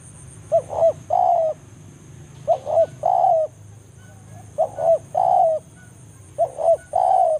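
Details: Banggo lure calling of a spotted dove summoning a rival in forest: four repeated phrases about every two seconds, each two quick low coos then a longer mellow falling coo, with a faint steady hiss behind.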